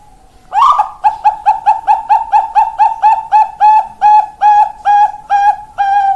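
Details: Bangkok-type zebra dove (perkutut) singing, recorded 4 March 2023: one loud opening note, then a fast run of about sixteen clipped, evenly spaced coos that gradually slow and ring more fully toward the end.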